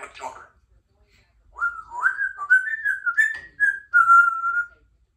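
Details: A three-year-old female Congo African grey parrot, kept as a pet in a country home, chatty and talkative: a string of whistled, speech-like phrases, rising and wavering, after a brief human word at the start.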